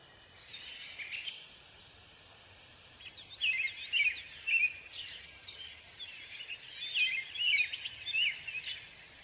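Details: American robin: a brief call, a short pause, then a run of clear caroling phrases, each a quick slurred whistle, repeated roughly twice a second over a faint insect hum.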